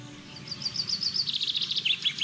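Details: Common linnet (Linaria cannabina) in a garden during spring and summer 2021, where a male and female fed their young. High twittering chirps come in quick succession over a steady low rumble.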